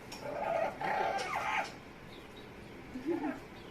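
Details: Pet Amazon parrot playfully making funny noises: drawn-out, wavering, nasal, meow-like cries for about a second and a half, then silence and a short lower grumbling note near the end.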